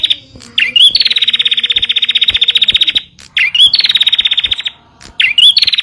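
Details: Song of a bar-winged prinia for lure-training caged birds: whistled rising notes each followed by a fast, mechanical-sounding trill of rapid ticks, repeated three times with short pauses.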